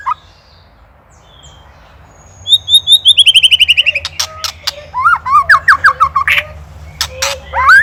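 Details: Indonesian white-rumped shama in ketrekan song used as a training master for songbirds: quiet start, then a rapid descending series of clipped whistles, loud sharp clicks, and rising slurred phrases repeated several times a second.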